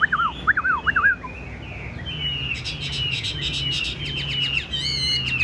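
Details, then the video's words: Caged, tame Chinese hwamei with a loud voice and yellow legs and bill opens with three looping downward whistles, then a sustained whistle laced with rapid buzzy trills and ends in high wavering notes. "Chim thuần bộ to giọng hay, chân vàng mỏ vàng"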